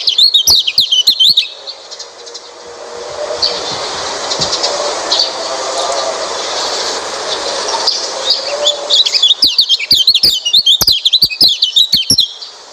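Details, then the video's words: White-eye song recorded as a lure for a white-eye reluctant to sing. Quick high twitters open and close the recording; a long stretch of loud rushing noise fills the middle. "Coba masteran burung pleci ini | pancingan burung pleci malas bunyi"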